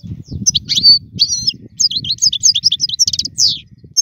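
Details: Solo caged European goldfinch song used to teach chicks; continuous tinkling twitter of rapid high notes, slurred whistles and short trills, with a steady low background hum.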